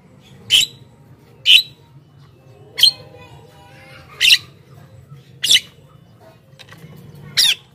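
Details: Javan myna calls intended to attract wild mynas: six abrupt harsh squawks spaced about one to one and a half seconds apart, each a short noisy burst, with a quiet low hum between them.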